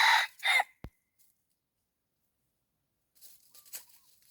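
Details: Wild red junglefowl decoy luring: a short, loud, harsh crow in two segments opens the clip, followed by a sharp click, silence, and then faint rustling and a soft whistle.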